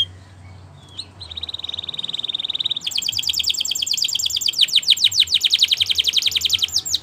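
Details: Canary song recorded for use in training canaries: a steady high trill held for about two seconds, then a loud run of rapid, sharply repeated notes, several per second, rolling on without pause until the end.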